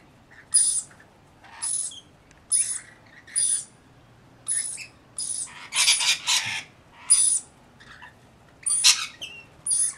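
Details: Rainbow Lorikeets from a mixed flock of about 40 birds looking after a single baby: harsh, high screeching calls in short bursts, roughly one every second, with a few louder clustered shrieks near the middle.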